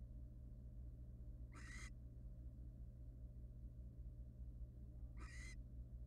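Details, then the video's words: A barn owl, wild and free to come and go from its nest box, utters two raspy screeches roughly three and a half seconds apart over a low drone. "It is all about the "Owl" Bass: Barn owl happy feet= Nice beat."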